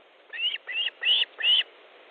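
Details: Softer series of four rising whistled notes from an Osprey at its nest in Estonia during an August 2014 afternoon fish delivery.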